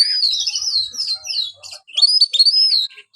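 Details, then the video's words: Caged white-rumped shama giving long, smooth whistled phrases with slight wavering, a short gap, then more rising and falling whistles mixed with soft chatter. "buat burung Kacer anda yang malas bunyi"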